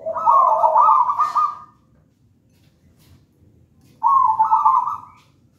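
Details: Local wild-stock zebra dove from a raja banana (gedang rojo) nest line, singing vigorously. Two trilled, rolling cooing phrases, each opening with lower notes before a sustained vibrating trill, separated by about two seconds of quiet.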